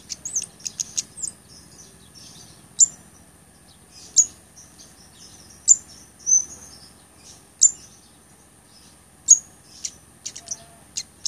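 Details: Blood-breasted flowerpecker song, used to train other songbirds and to lure birds: very high, sharp ticks and brief thin whistled notes, scattered irregularly every one to two seconds over a steady high-pitched hiss.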